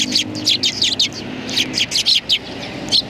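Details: Close, loud chirping from sparrows on a bench at a Tenmangu shrine, 21 January 2020: sharp high tweets repeated in quick irregular groups, several birds overlapping.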